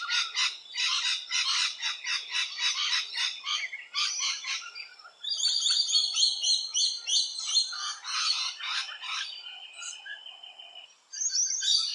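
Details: Nesting rainbow lorikeets in Australia produce a rapid, grating chatter of repeated harsh notes, shifting midway to more ringing, sustained squeals before a final shrill burst.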